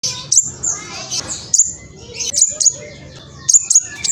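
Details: Juvenile spotted black sunbird (king konin) in East Java, Indonesia, recorded on a mobile phone, singing to provoke rivals: scattered very high, thin chips and short sharp twitters separated by pauses, with faint low background hum.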